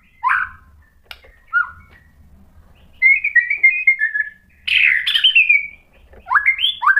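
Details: White-rumped shama song meant to prompt another bird to sing: separated phrases with short gaps, a sweet slurred note, a trilled whistle run, a harsh burst, then upward-sweeping whistles.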